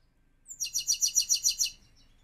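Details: Caged Himalayan goldfinch giving a bright, high phrase of about eight evenly spaced, rapid twittering notes, each with a ringing, metallic quality, over a quiet background.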